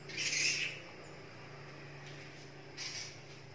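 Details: Swiftlets roosting and nesting inside a house, entering around 5:30 pm and leaving around 5 am, noisy if the door stays shut, give a harsh, buzzy chatter: a half-second burst, then a shorter raspy note about two seconds later, over a low hum.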